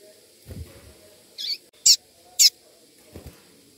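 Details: Female double-collared seedeater piping to stimulate a male tui-tui singer; three short, high, sharp chirps about half a second apart, with soft low thumping before and after.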